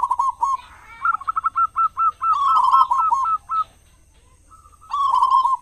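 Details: Local zebra dove, a strong frequent singer used as a lure for other doves in morning and evening; a run of about ten clipped, evenly spaced coo notes with overlapping rolling phrases before and after.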